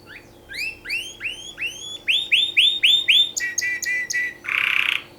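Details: Canary song for mating, built from repeated rising whistled swoops about four per second, growing louder, then a series of sharp chirps and a closing harsh buzzy trill.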